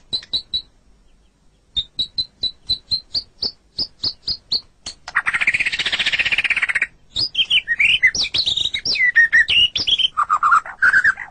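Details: Song of a white-rumped shama (murai batu) kept as a pet, recorded as masteran to train other songbirds. Evenly spaced high chips open the phrase, then a harsh buzzy rattle, then fluid looping whistles that fall and rise.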